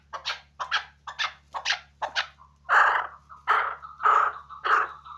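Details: A hunting chukar partridge gives short rasping chuck notes about twice a second, then longer, louder drawn-out calls near the end, with a low background hum throughout.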